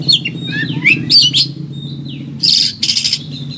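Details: Agitated Oriental magpie-robin (kacer), song used to train or rouse lazy birds: twisting whistled phrases and a long thin whistle, then two loud harsh rasping bursts, over a steady low humming drone.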